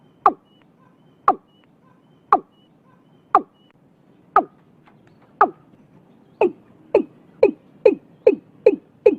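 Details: Watercock in Vietnam early in the year, starting with slow sharp notes one per second that speed up to a fast, lower-pitched knocking series of about two per second, with faint whistles in the background.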